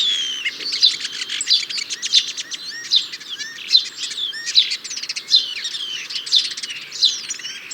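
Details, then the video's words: European starling song: a dense, rambling jumble of squeaky chirps, clicks, rattles and slurred whistles, delivered without pause and shifting constantly in pitch. "European Starling - Songs"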